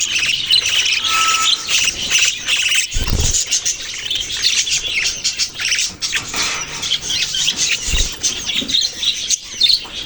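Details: Budgerigars keep up a busy, overlapping chatter of squeaky warbles and chirps, with occasional dull thuds in the background.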